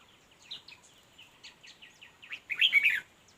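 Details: Red-whiskered bulbul at a fight-trap set for wild birds: soft scattered chip notes leading into a loud, rich warbled phrase near the end.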